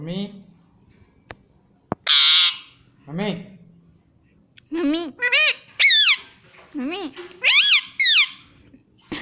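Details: Indian ringneck parrot kept as a pet saying "Mummy" again and again; a lone click and a harsh squawk come first, then quick runs of rising-falling, reedy imitated syllables in close succession.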